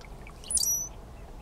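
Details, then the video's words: Brown-headed Cowbird call during springtime display, one of 3 males at Condie Nature Refuge, Saskatchewan, Canada, on 8 May 2013: a single very high, thin whistle sliding into two sharp pitches over a soft hiss. "Cowbird call and display, springtime"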